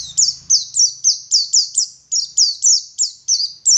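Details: Oriental white-eye, local dakun of Garut, West Java, in ngeriwik-style gacor song: crisp, high, downward-sliding chirps repeated steadily, roughly three to four each second, with clean silence between notes.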